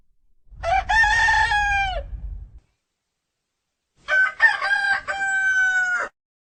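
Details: Cockerel giving two full crows about four seconds apart, each loud and harmonic with a long held ending. A low rumble runs under the first crow.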